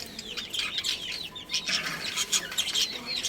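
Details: Breeding pair of budgerigars chirping in busy, looping high warbles and squeaks over a soft low background rumble.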